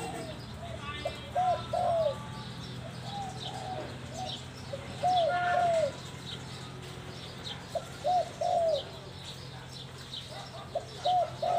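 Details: Mongkhon Liu Tan style singing by a spotted dove: repeated cooing phrases of two or three soft hoots, recurring every few seconds, the final hoot sliding downward, with scattered chirping birds behind.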